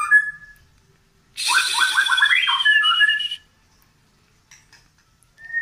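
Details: White-rumped shama from Medan in full continuous song with tail-pushing display: a clear whistle, then a loud two-second burst of quick descending and rising whistled notes over a harsh hiss, then quiet soft clicks.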